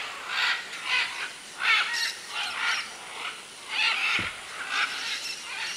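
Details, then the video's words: Macaws at a clay lick in the Manu area jungle of Peru, with many macaws and other birds present in 2008; harsh, raspy squawks repeat in irregular bursts about every half second to second. "Macaw clay lick"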